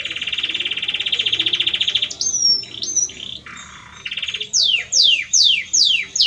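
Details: Male Belgian canary singing to his female, opening with a fast even trill, then whistled slurs, a lower buzzy phrase and a run of sharp descending sweeps repeated about twice a second.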